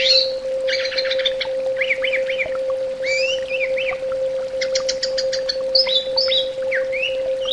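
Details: Orange-headed thrush, known locally as anis bata, heard in a therapy sound recording: varied whistled phrases, short rising-falling warbles and quick bursts of repeated notes, with a steady electronic hum underneath.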